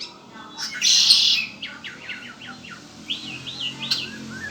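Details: Harsh, loud buzz of about half a second from a pet red-winged blackbird, followed by a rapid series of short downward-slurred notes and then a few gentle rising whistles.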